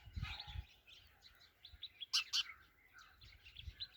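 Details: Sparrow giving short, bright chirps that overlap in a busy twittering stream, with one sharp, loud double chirp near the middle and soft low thumps at the start and end.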